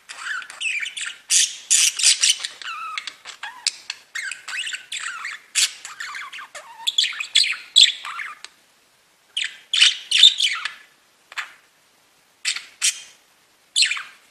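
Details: Budgerigars singing and tweeting, kept as pet birds: dense, chattering warble of rapid buzzy and whistled notes, mostly high, in bursts with short pauses toward the end.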